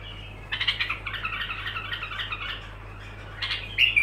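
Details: Softer bulbul song with unbroken phrasing: a run of rapid, slightly harsh warbled notes, then a pause and a brighter closing phrase, with a low background hum.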